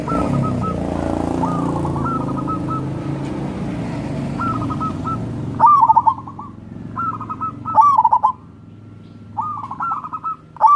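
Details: Zebra dove, local perkutut, singing to coax lazy birds: repeated short rolling coo phrases, faint at first under a heavy low traffic rumble, then clearer and louder as the noise fades.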